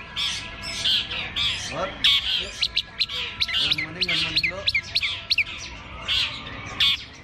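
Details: Long-tailed shrike at a bird singing contest, perched on the hanging poles; scratchy, high chattering phrases and quick clicks run almost continuously, with low murmuring voices from the crowd underneath.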